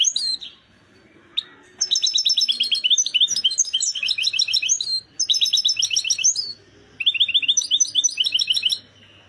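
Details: Excited European goldfinch at full readiness, delivering repeated runs of quick ringing twitter notes and buzzy trills, each phrase roughly one to two seconds long, separated by short silences, over a faint low hum.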